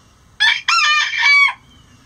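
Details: Rooster crowing before dawn as the flock leaves the coop: a loud, harsh, two-part cock-a-doodle-doo, a short opening note then a long rasping drawn-out phrase, ending abruptly, with quiet background.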